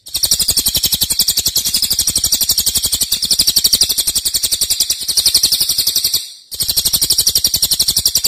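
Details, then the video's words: Cililin delivering loud, tightly packed song of long duration: an unbroken, very fast, high-pitched chattering trill that cuts out briefly near the end, then resumes at the same rapid pace. "Cililin nembak keras dan Rafat durasi fanjang"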